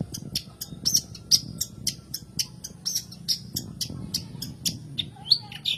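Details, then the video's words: Long-tailed shrike (cendet, pentet) song for prompting quiet caged shrikes to sing: steady series of harsh high chips and squeaky notes at a brisk, uneven pace, with a low background hum. "PANCINGAN SUARA BURUNG CENDET PENTET"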